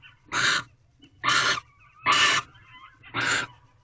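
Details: Female barn owl in a nest box at 11:24 pm in February, clutching a rodent delivered by the male, during mating. Four loud, raspy, broadband screeches follow each other at roughly one-second intervals.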